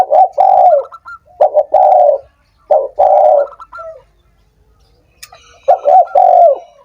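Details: Spotted dove call meant to spur idle doves to sing: loud husky coo phrases, a clipped pair of notes then a sustained coo, repeated four times, with a faint second dove cooing softly in the pause.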